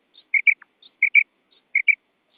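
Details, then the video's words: Female quail giving three quick pairs of clear whistled notes, roughly 0.7 seconds apart, each pair preceded by a faint higher note. "Urg'ochi Bedana Ovozi"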